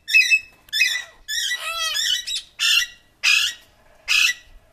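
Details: Ringneck parrot giving a series of loud, harsh squawks with rich harmonics, about seven calls spaced under a second apart, some short and abrupt, one longer and wavering, in a quiet setting.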